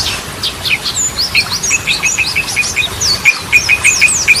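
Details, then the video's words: Yellow-vented bulbul in lively song, Ropelan and Goklikan styles, meant as a lure for stressed birds. High slurred whistles mix with a run of short clipped notes in quick succession. "Ragam Suara Burung Trucukan || Goklikan, Ropelan, Garudaan Cocok Buat Pancingan"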